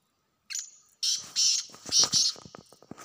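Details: Wild black francolin from a hunting setting, calling with a short rasp and then a series of loud, grating notes. Low thumps and rustling noises sound underneath and continue after the call.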